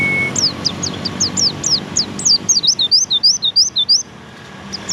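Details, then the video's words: Song of a Javan white-eye: scattered sharp descending chirps building into a quick, regular run of about a dozen looping notes, then a pause. "burung pleci"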